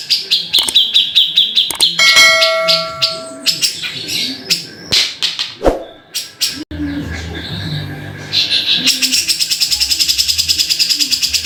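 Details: Grey-cheeked bulbul (cucak jenggot) singing: bursts of rapid sharp chattering notes mixed with brief clear whistled tones, pauses between phrases, then a fast even rattle of repeated notes at the end; low faint background hum.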